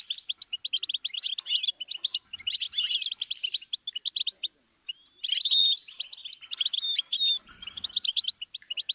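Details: Goldfinch singing on a tutor recording for teaching chicks: dense bursts of fast tinkling twitter, broken by short pauses, with sliding whistled notes and buzzy rattles in the later phrases.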